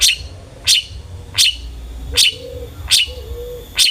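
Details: Long-tailed shrike song meant to stir other shrikes into singing: short sharp harsh notes repeated about every three-quarters of a second over a low hum.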